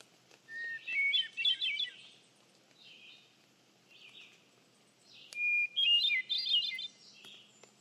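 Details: A hermit thrush gives two ethereal phrases several seconds apart. Each starts with a long clean whistle and breaks into a bubbling spiral of higher fluty notes, with quieter distant phrases and a soft low hum between them.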